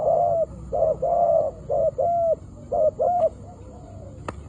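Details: Spotted doves, a decoy bird meeting a wild one in a trapping setting, give mellow, hollow coos in short paired bursts, several phrases close together with brief gaps, then fading, softer notes and a sharp click near the end.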